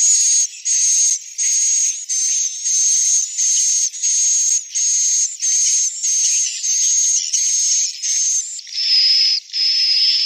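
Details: Edible-nest swiftlet calls used as a colony lure for swiftlet houses: a steady run of harsh, hissing chirps about every two-thirds of a second, each with a thin high whistle, the last few dropping lower.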